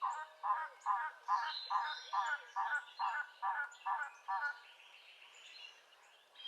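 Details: An Elegant Trogon on the Carrie Nation trail at the end of White House Canyon Road, Madera Canyon, southeastern Arizona, gives about eleven hoarse, croaking notes, roughly two per second. Faint higher chirps from other birds sound behind it.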